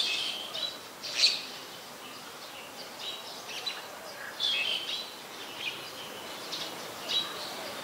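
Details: Black-collared starling (Black-collared Myna, Gracupica nigricollis) in Ubon Ratchathani, Thailand, 26 March 2021, giving scattered high, squeaky and chattering notes in short bursts every second or two, over a steady background hiss.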